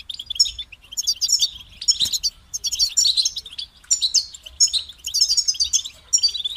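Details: Stimulating song for goldfinches: a European goldfinch delivers repeated bursts of high, tinkling twitters and short trills, with a faint click heard around two seconds.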